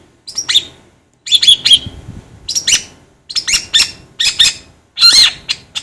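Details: Long-tailed shrike song for training birds: clusters of sharp, squeaky and scratchy notes with some thin whistled tones, delivered in bursts separated by short quiet gaps.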